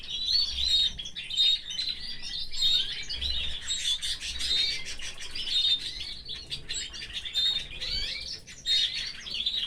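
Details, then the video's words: A canary kept in a cage with its family sings a long, dense warble of high chirps, trills and whistles, broken by soft clicks and rustling. "Moments with this gorgeous canary and his family | Canary"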